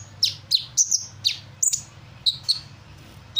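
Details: Sunbird singing energetically and imitating other bird calls; single high, piercing chirps and short downslurred whistles spaced roughly every quarter to half second, separated by brief pauses, over a faint low background hum.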